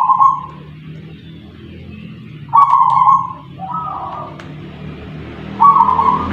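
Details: A kept zebra dove (perkutut), a local wild bird from Punden, Tuban, East Java, gives soft, low, mellow cooing phrases near one pitch, spaced a few seconds apart, over a steady low hum and faint clicks.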